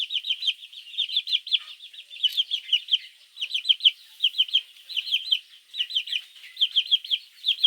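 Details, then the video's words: Chicks calling their mother at morning, a recording meant to lure mongoose; high, bright peeping runs almost nonstop in fast groups of arched notes, loud and clear throughout. "Baby chicks chirping sounds | Suara Anak Ayam memanggil Induk - Suara Anak Ayam Pikat garangan"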